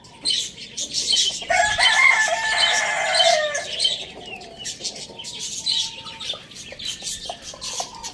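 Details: Pet rooster at Lalukhet bird market among hens, chicks and budgies gives a hoarse drawn-out crow of about two seconds, surrounded by rapid budgie chattering and faint wing flutters.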